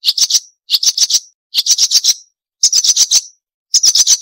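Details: Marsh warbler singing sharp 'crecetan' chatter for songbird training: five short bursts of rapid, high, scratchy notes, each burst about half a second long, with brief silences between them.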